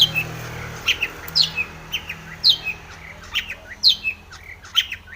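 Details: Long-tailed shrike in energetic full-fill song used as a lure to make other shrikes sing: sharp high chirps, often paired, repeated roughly every second, over a faint low hum.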